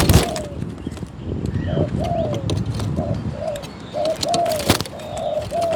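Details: Decoy-trap spotted dove giving repeated soft, low coos in short slurred phrases, each note swelling then dropping, several per second in bursts. Frequent sharp tapping and rustling noises, with a distant chirping bird and faint voice.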